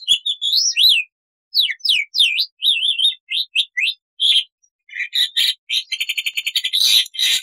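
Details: Loud, clear Black-winged starling song used as tutor material: wavering whistled notes in quick succession, a brief gap, then harsh chatters and a fast repeated rattling burst near the end.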